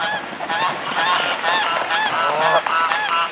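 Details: Mute swans at Reddish Vale Country Park chasing away their 2011 cygnets before nesting: several birds give a rapid, overlapping run of nasal, honking calls, about two per second, over steady background noise.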